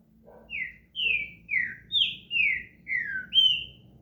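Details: Caged green-winged saltator warming up its song with seven clear whistled notes, each sliding downward, delivered about twice a second, with faint low background hum.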